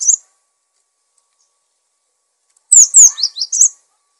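Cinereous tit gives one high, thin note, then a quick burst of about six sharp, falling chirps over a second, in an otherwise quiet background.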